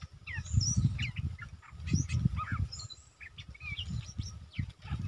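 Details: Bulbul used as a lure to draw a rival into a fight, a very old decoy bird eager to fight, recorded 31/12/2021: rapid, varied chirps and short rising whistles over heavy low rumbling noise.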